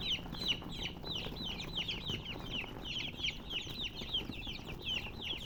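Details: Baby chickens peeping constantly, many high thin downslurred chirps overlapping several times a second, over a low steady hum.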